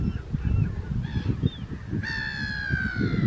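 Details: A second-calendar-year Mediterranean gull on Vlieland, Netherlands, 24 August 2024, gives two faint, short nasal notes, then one long, drawn-out, slightly falling nasal call. Strong wind rumble runs throughout.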